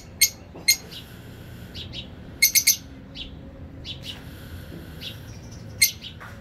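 Grey parrot giving sharp, high chirps, singly and in quick bursts of three, with softer chirps between them over a quiet indoor background.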